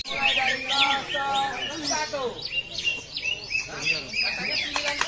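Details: Greater green leafbird (cucak ijo) in a practice singing competition in South Aceh, Indonesia: dense, rapid chattering and whistled phrases, high and overlapping, with men talking loudly throughout.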